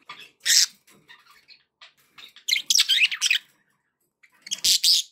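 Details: Budgerigars kept as pets, in a happy mood, letting out loud harsh squawks and buzzy chirps in three main bursts, with softer quiet warbling between them.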